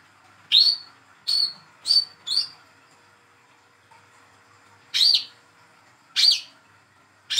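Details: Hand-fed young speckled olive-backed sunbird in captivity, its calls meant to coax a silent bird into singing: seven sharp, ringing chirps, four close together, then three after a pause, each with a slight downward twist.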